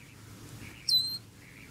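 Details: Close-up of a little black bird peeping loudly while eating breakfast, filmed from under five feet away: a single high, clear peep that drops briefly then holds steady, in an otherwise quiet room.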